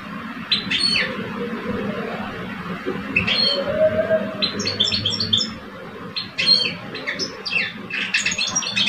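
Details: Contest of song between two caged male European goldfinches, an older male and a two-year-old. Bursts of quick tinkling twitters alternate with pauses, the final seconds bringing a dense run of chirps; low hum throughout.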